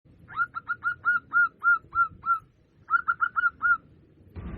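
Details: Local zebra dove used as a lure call to draw wild birds: a quick run of short hooked whistled coos, about ten in a row, a brief pause, then five more, with a low rumble and a burst of noise at the end.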